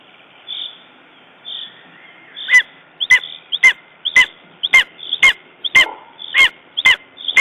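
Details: At a nest in Estonia, 14 June 2011, a lesser spotted eagle calls after being attacked by a raven: a steady run of about ten abrupt, harsh yelps, spaced roughly half a second apart, after quieter soft notes.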